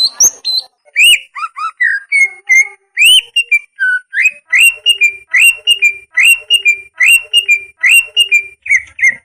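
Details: Leafbird (greater green) master song for coaching caged birds that sing little or are molting: varied rising and falling whistles settling into an even series of clear two-part notes, roughly one per second.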